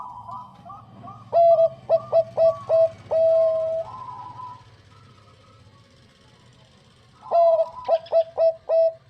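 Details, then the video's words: Active singing from a Bangkok-type zebra dove, a female calling its male: clear, loud clusters of short stuttering coos with a longer held coo, a quiet pause, then another loud rapid run. "PERKUTUT BANGKOK GACOR SUARA JERNIH MENGUNDANG BUNYI"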